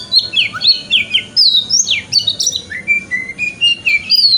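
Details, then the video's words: White-rumped shama male song used as morning therapy so a kept shama opens its tail: loud clear whistles, slurred up-and-down notes and steady repeated bright whistled notes in a lively sequence. "Pancingan Kacer Wikplong - Cocok Untuk Terapi Kacer Di Pagi Hari Agar Buka Ekor"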